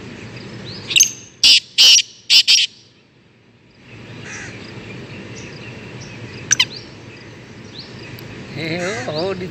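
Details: Black francolin kept for training and hunting, out of the cage: four loud rasping bursts close together, then a quiet pause, faint distant chirps and a short wavering whistle near the end.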